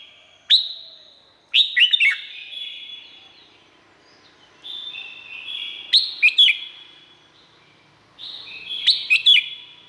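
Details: Thai red-whiskered bulbul song for training or rousing cage birds: four similar phrases about two seconds apart, each a bright sharp note followed by rolling, slurred whistles.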